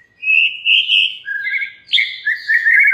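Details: White-rumped shama singing, used to make other shamas respond: sustained clear whistles, then quick sliding notes and a final rich warbled phrase, clean with no background noise.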